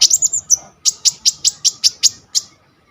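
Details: Coconut lorikeet, phone-recorded to tutor sunbirds, giving a quick stuttering chirp series then about eight shrill clipped notes spaced evenly about a fifth of a second apart.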